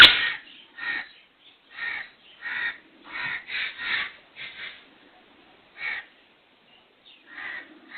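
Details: Black francolin, known locally as kala teeter, its call rendered as 'subhan teri qudrat'; harsh, grating bursts repeated roughly every half second to second, with short pauses between groups, in an otherwise quiet setting.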